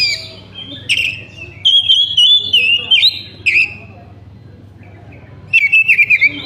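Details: Lure recording of an Oriental magpie-robin meant to make other magpie-robins sing, with bright whistles and fast chattering warbled runs in bursts, quiet gaps between, and a constant low electrical hum.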